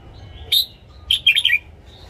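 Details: Caged red-whiskered bulbul morning song for training newly caught birds: one loud clear chirp, a short pause, then a quick tumbling phrase of four or five warbled notes sliding downward at the end.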